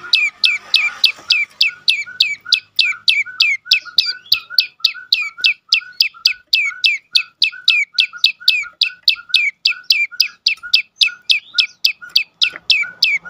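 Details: Prenjak lumut prinia, its song used to coax other birds to sing, delivering a long, clear sequence of sharp chirps that fall in pitch, repeated about four times a second.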